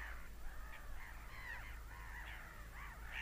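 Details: Seagulls screaming: a run of harsh, arching harmonic cries, several overlapping, rising then falling in pitch, over a steady low rumble.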